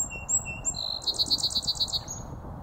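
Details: Song sparrow song from South Meadows, 18 March 2024: a few short, sharp whistled notes lead into a rapid, evenly pulsed trill of about ten notes, then a brief closing note. Faint low background noise.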